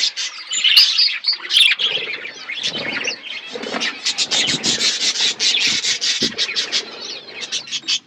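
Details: Budgerigar colony setup: a few clear whistled notes at the start give way to rapid, rasping chirps repeated in quick pulses over steady group chatter.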